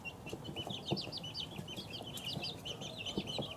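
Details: A lively cluster of two-week-old chicks gives rapid, shrill rising-and-falling peeps in a constant stream, punctuated by a few low thumps.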